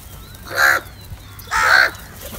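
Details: Crows fighting over cheese and salty food: two loud, harsh caws about a second apart, each hoarse and rasping, with a faint background hiss.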